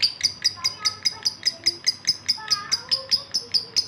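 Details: Breeding male lovebird calling for a female, giving quick, sharp, high chirps in an even series, a little over two per second, with fainter lower chatter underneath.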